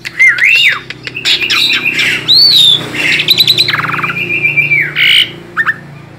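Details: Captive tame Asian pied starling in full song as a prompt for young birds, mixing looping whistles, harsh squawky bursts and a long level whistle near the end, over a faint low background drone.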